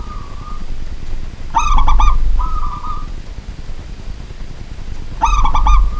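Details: Local zebra dove kept as a cage bird, heard at night: stuttered coo bursts alternating with smooth, level cooing phrases over a steady low rumble.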